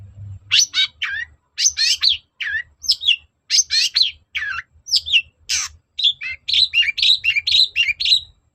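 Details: Long-tailed shrike (cendet) singing energetically to provoke another bird into answering: dense run of scratchy, buzzy notes and quick downslurred chirps, nearly continuous with short gaps, some mimic-like twittering toward the end.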